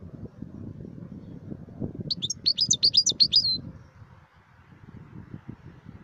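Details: Wild European goldfinch delivering a single rapid, chattering run of high tinkling notes lasting under two seconds, over a steady low rumble of background noise.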